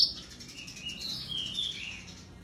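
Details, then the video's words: Black-browed reed warbler song, played as therapy to get birds that have stopped singing to sing again: a dense, warbling stream of high chattering notes with short whistled streaks, running without pause. "Burung Kerak Basi Gacor || Terapi Burung Macet"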